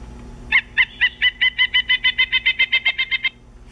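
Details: Pileated woodpecker (Dryocopus pileatus) recorded 13 March 2015 gives a loud, ringing call series of about fifteen even wuk notes, four to five per second, lasting under three seconds, over faint background hum.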